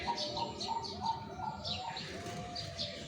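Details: Zebra dove singing during selection for a singing contest: a quick series of short, even cooing notes repeated several times a second, with a lower drawn-out tone beneath, while other birds chirp high and sharp throughout.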